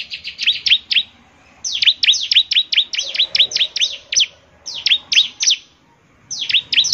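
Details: Bar-winged prinia in lively, chatty song said to make other prinias answer; bursts of fast, sharp, high chirping notes, each sweeping downward, in runs of about a second separated by brief pauses.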